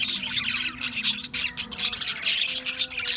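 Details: Australian budgies chirping: a short stretch of rapid, pulsing high twitters and squeaky notes from several birds at once, with a faint low hum.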